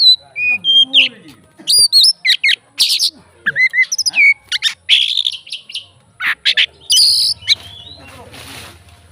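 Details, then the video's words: Oriental magpie-robin, fighter type, singing to provoke other magpie-robins: clear whistles, downslurred notes and scratchy buzzing phrases in a varied burst, ending with a hissing rasp. "BUNYI BURUNG KACER FIGTER, FULL ISIAN KACER LAIN LANGSUNG ON"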